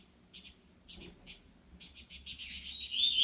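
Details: Wild saffron finch singing in nature: short bursts of high, clipped chirps in small clusters that grow denser and louder toward the end, with a brief sweet whistled note.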